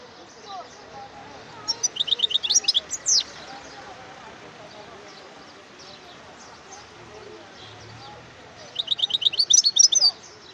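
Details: European goldfinch song in two separated bursts of fast, repeated high twittering notes, each burst about a second and a half long with a liquid buzzy ending, divided by several seconds of low background murmur.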